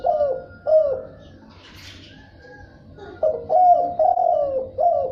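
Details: Field spotted dove repeating low, husky coos in the thúc bổi and gù style, with a brief gap mid-phrase and a soft chirp from another bird.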